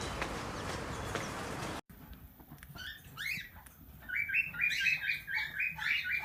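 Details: Tamed talking plum-headed parakeet mimicking speech: after a brief burst of background noise and a short silence, a run of quick, chirpy, rising syllables repeated about four times a second builds in loudness.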